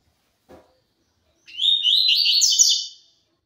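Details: High, fast song phrase of a double-collared seedeater in the tui tui zel zel style, about a second and a half of warbled sliding notes climbing in pitch, preceded by a soft click.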